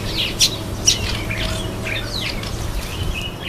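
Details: Red-faced mousebird at a birdbath: a string of short, scratchy, chirping notes, several of them rising or falling, over a steady low rumble of background noise.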